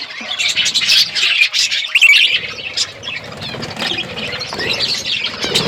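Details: Parrot eating food, February 25, 2024; busy overlapping chirps and thin squeals from several birds, a sharp squawk near the middle, then softer chattering with faint low rustling.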